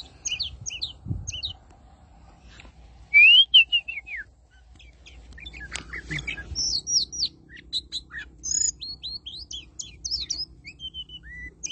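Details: Oriental magpie-robin in rapid, varied song: sweet slurred whistles, upslurs, a loud burst of clicks, then a long stream of short high notes, with a low background hum.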